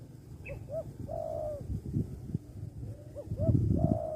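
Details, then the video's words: Spotted dove in a bird-luring context delivers two coo phrases, each two brief upward-inflected notes and a long, level then falling coo, over loud low thumping and rumbling sounds. "suara tekukur"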